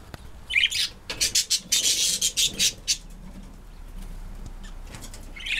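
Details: Pet female Quaker parrot, about six years old, kept at home for around five years, giving harsh, hissy bursts of chatter in a quick run through the middle seconds, with softer scratchy notes at the start and end.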